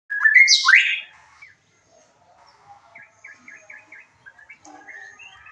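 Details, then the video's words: White-rumped shama song used as a lure to stir emotion and breeding urge so other birds answer: a loud, rich burst of slurred whistles jumping between low and very high notes, then soft, scattered chirps and short notes. "pancingan murai batu penambah EMOSI DAN BIRAHI AGAR ikut nyaut bongkar isian"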